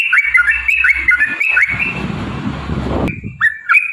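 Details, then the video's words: Yellow-vented bulbul singing as a lure to make other birds sing: several bright, looping whistled phrases rising and falling, fading into a stretch of broad hissing noise, then a few more whistled notes at the close. "trucukan gacor TARUNG ROPEL PANJANG pancingan trucukan agar bunyi"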